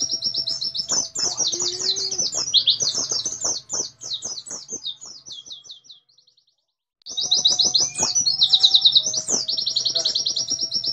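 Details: Oriental white-eye, a song bird named Brenn, sings a fast, dense run of high chattering and trilled notes with close-spaced bursts, then pauses about a second before resuming the rapid, shrill sequence.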